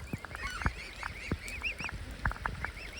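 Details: Cygnets begging near their parents at feeding time, with crows and ducks about: thin, arching peeps again and again, several overlapping in quick succession, over low knocks and thuds from the surroundings.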